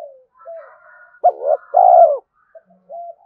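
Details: Spotted dove calling on a decoy track for luring wild doves: soft background coos, then one loud phrase of a short hoot and a long, slightly falling coo.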